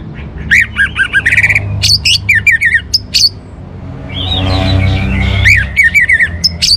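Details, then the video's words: Orange-headed thrush giving a varied song of fast warbled phrases, squeaky chirps and whistled trills, with a low droning hum in the middle section. "suara burung Anis Merah"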